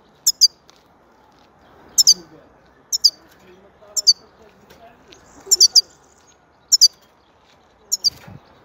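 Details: Repeated sharp, high two-note chirps from a European goldfinch, coming roughly every second or so in short clipped pairs, clear over a quiet background.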